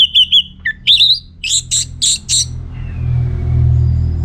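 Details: Orange-headed thrush singing energetically as a lure for other birds to respond: a run of whistled, rising and falling phrases followed by four strong rhythmic notes, then only low background hum.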